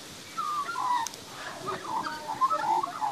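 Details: A young magpie, feeding and singing in a backyard, warbles a run of mellow, slurred notes rising and falling in quick succession over a soft background hiss.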